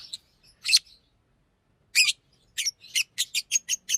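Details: A green Fischer's lovebird gives a few scattered scratchy chirps, then a fast, even series of seven short sharp chirps to finish.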